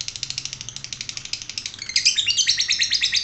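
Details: Lovebird giving a fast run of sharp chirps, about three per second, then breaking into a dense, rapid chattering burst of high squeaky notes in the second half.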